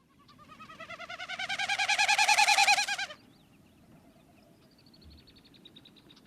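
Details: Wilson's Snipe winnowing, a mechanical wing noise rather than a vocal call, from a shorebird breeding throughout Maine: rapid pulsed hollow whistling, about three per second, swelling louder over three seconds then fading, faint other birds after.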